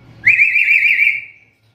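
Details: One sustained, warbling whistle from a black-capped lory, wavering rapidly in pitch for over a second before fading, a call said to be rare among other lories.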